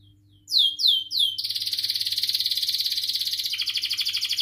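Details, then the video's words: Long canary song played to prompt young canaries to learn their notes; three descending whistled sweeps open into a continuous buzzy high trill, pulsing several times a second, with steady faint hum beneath. "kenari gacor panjang Cuit Cuit EMOSI, Pancingan Kenari Paud Belajar Bunyi, terapi AMPUH Kenari MACET"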